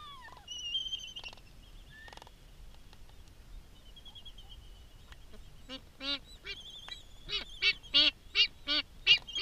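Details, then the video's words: Black-footed albatross feeding a chick on Midway Atoll, the adult marked for research and carrying a GPS logger; thin high whistled notes early, then a run of loud, rhythmic, harmonic nasal calls repeated about three per second. "Black-footed albatross feeding chick"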